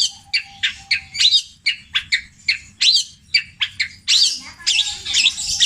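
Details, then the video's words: Captive Java long-tailed shrike giving petir-style mimicry of tengkek buto, kuntilanak and greja: evenly spaced sharp chips roughly every third of a second, then wavering, warbled whistles and scratchy runs toward the end. "CENDET INI MUNTAHKAN TENGKEK BUTO KUNTILANAK GREJA NYERET PETIR KW PANJANG2 DAN DIULANG2!"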